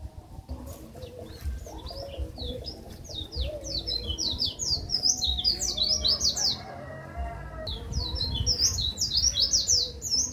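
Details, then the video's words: White-eye tutor song for training songbirds: rapid, high, sweet twittering of short slurred notes, tightly packed and continuous, with a brief pause after about seven seconds before resuming; low background hum underneath. "Masteran Pleci"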